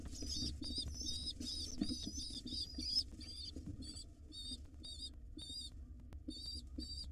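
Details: Wild pigeon nestlings being fed by their mother in a nest box; squeaky high begging calls repeated in short bursts, about two or three a second, over low rustling.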